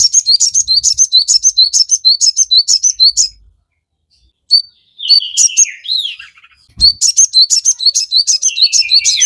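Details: Energetic crested jay song used to bait birds into replying: bursts of quick, high, metallic chirps, then a silent gap and a stretch of lower falling whistles, before the fast chirping resumes.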